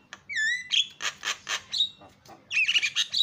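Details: Javan myna calls used as a lure to make other mynas call: a clear whistle near the start, then harsh broadband squawks in a run, and a burst of mixed chattering and whistles at the end.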